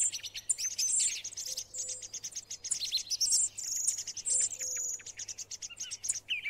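Song thrush delivering a rapid, high, chattering run of clear whistles and sharp notes, phrases following closely; a faint low hum underneath.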